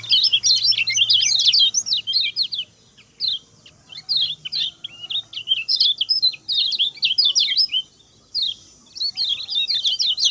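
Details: Lemon-bellied white-eye singing a short, speedy song used for tutoring other birds. Rapid high chirps come in several phrases of one to two seconds, separated by short silences.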